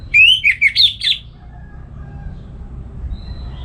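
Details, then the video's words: Singing caged orange-headed thrush from Singaraja, north Bali, morning ngeplong song used to train other birds; one quick burst of four or five looping whistled notes, followed by quiet room background. "Pagi Hari Hari ANIS MERAH Ngeplong Gacor Untuk Pancingan & Masteran Burung Dirumah"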